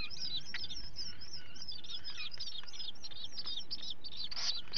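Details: Common guillemot chick at its morning feed on 11 July 2020, from a fixed ledge camera: busy stream of sharp, squeaky whistled peeps, several calling at once, with constant low background noise.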